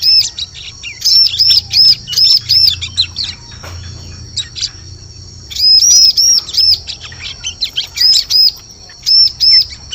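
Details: Bar-winged prinia call played as a forest lure: repeated strings of four or five high, sharp, arched notes, each string separated by a brief pause, with a soft low background rumble.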